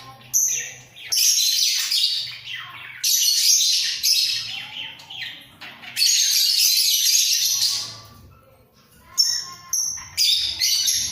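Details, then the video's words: Pair of budgerigars in a breeding cage, head-bobbing as they call: long bursts of gritty, chattering warble alternate with quieter gaps, ending in short, sharp high chirps; a low hum sounds in the background. "Sepasang Burung Parkit Gacor"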